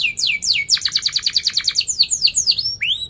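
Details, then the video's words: Canary in full song, with sharp rolling trills and chirps, offered as tutor song for young canaries learning to sing: downslurred whistles, then a rapid buzzy trill of repeated notes, then sweeping downward chirps ending on an upslur. "Kenari Gacor Cuit cuit NgeroL TAJAM | untuk Pancingan kenari Paud belajar Bunyi & kenari MACET BUNYI"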